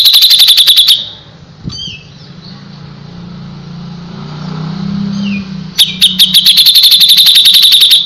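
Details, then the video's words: Gacor song of the cucak jenggot (Grey-cheeked Bulbul): a fast, high, steady rattle, then a few seconds with a couple of faint higher notes and a low background hum, then another long rattling trill. "suara burung cucak jenggot // cucak jenggot gacor masteran burung cucak jenggot"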